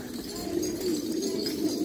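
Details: Black pigeons of Afghan stock keep up an overlapping, low rolling coo, several birds humming at once in a steady, throaty drone.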